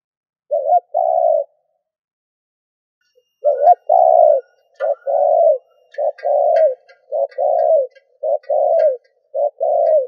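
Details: Spotted dove as a lure for other doves, starting with a single coo then breaking into rapid, closely spaced coos, each short note plus longer hoot; faint high chirps of other small birds behind.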